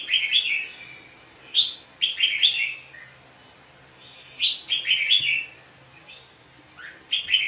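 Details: Red-whiskered bulbul, a trapped bird singing in a fighting contest, used as a lure bird: bright warbled phrases of three to five quick slurred notes, repeated in bursts every few seconds with short quiet gaps.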